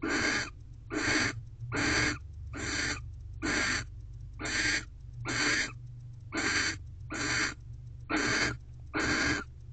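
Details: Nest-box barn owls at night, late December 2023, the female awaiting mating as the male guards the door; rasping, noisy screech-hisses of about half a second each, coming regularly roughly every second across the recording.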